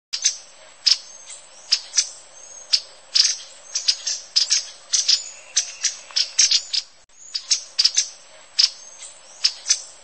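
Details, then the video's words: Green honeycreeper gives about twenty sharp, high chip notes at an uneven pace, often in quick pairs, over a faint hiss. "Green Honeycreeper sound"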